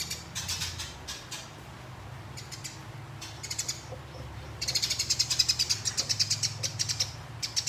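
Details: Fighting sparrow, a contest bird, with a brief chirp burst, a quieter stretch of faint notes, then a long rapid run of shrill chirps about two per second, over a low hum.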